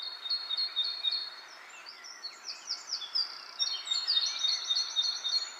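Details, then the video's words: Thin high chirps in fast runs overlap with upward-swept whistles and bright twittering from several birds, the pace quickening toward the end. "Wind blows leaves, leaves bird chirping sound"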